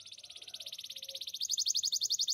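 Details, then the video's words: Canary of the Spanish Timbrado breed giving a single rapid pulsed trill that quickens and rises slightly over two seconds. "Spanish timbrado canary singing"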